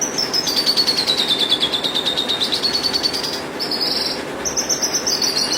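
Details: Horsfield's bush lark delivering a drawn-out, pulsing high trill that dips and rises again, broken by a short pause, then buzzy high notes and a steady high trilled phrase.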